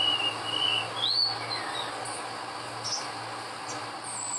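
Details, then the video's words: Wild olive-backed sunbird from Indonesia giving a high whistled phrase with a wavering start and a rising slur, followed by scattered faint high chips against constant background hiss. "MERDU NYA SUARA BURUNG SOGOK ONTONG DI ALAM LIAR"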